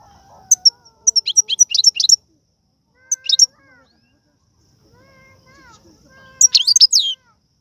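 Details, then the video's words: Algerian goldfinch song featuring serfati and tiwawati phrases: a fast string of high twittered notes, a short burst, then a final buzzy cluster, with softer lower drawn-out gliding wails between the bird phrases. "من اقوى اغاني طائر الحسون, تيواواطي قالوبي النادرة + سرفاتي"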